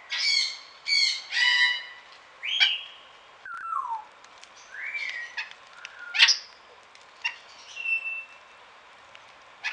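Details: Burrowing parrot in a garden aviary in Pelhřimov, Czechia, on the rainy morning of 6 November 2017: three harsh, buzzy screeches in quick succession, then a run of shorter squawks and slurred whistles, some rising and some falling.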